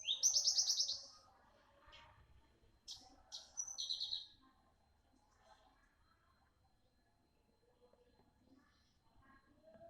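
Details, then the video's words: Young Javan bush lark of the parva type, singing actively with a sharp voice; an opening rapid buzzy trill, then a few sharp chirps and a short trill near four seconds, followed by quiet with faint background sounds. "BURUNG BRANJANGAN PARVA MUDA GACOR SUARA TAJAM"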